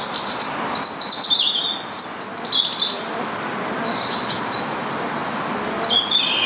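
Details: Shrill, high squawks from a Rose-ringed parakeet living in Stanley Park, Blackpool, come in short descending bursts with uneven gaps, set against a constant murmur of park background noise.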